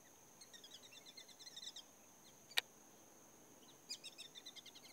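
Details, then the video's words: Black-bellied whistling ducks give their call: quick runs of thin, high whistled notes in two bursts, over a steady high insect-like hum and a single sharp click. "whistling ducks"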